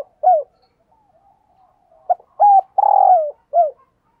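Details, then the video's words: Decoy spotted dove cooing to attract wild doves. One short coo, a pause, then a full phrase: a brief note, a level hoot, a long rough descending coo and a closing short coo. "Tiếng Chim Cu Mồi gáy Mồi Gáy Gọi/ Bổi Nghe Siêng Gáy Và Nhanh Nổi"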